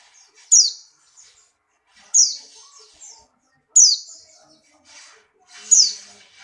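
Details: Buxtoni white-eye, in strong breeding condition and hopping: single bright, steeply falling chirps, each repeated about every one and a half seconds with near silence between.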